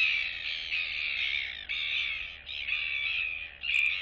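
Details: Royal albatross chicks in a colony greeting neighbouring chicks, recorded 9 September 2022; harsh, buzzy, raspy calls in a run of five or six bursts, each under a second, separated by brief dips, with steady low hum beneath.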